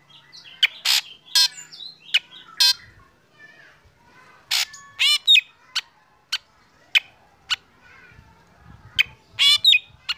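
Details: Black drongo singing in the morning as it is sunned, getting other birds going: loud harsh chirps and twangy, slurred notes in irregular clusters, with softer whistles in between.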